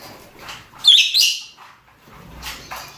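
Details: Male and female rosy-faced and Fischer's lovebirds calling for mating: one loud, harsh, high-pitched screech near the middle, framed by fainter scratchy chirps and soft background chatter.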